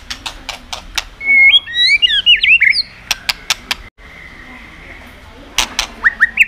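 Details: Shama song used to excite other birds into singing: loud, varied whistled phrases with sliding pitch, followed by a run of sharp clicks, then more short whistled notes.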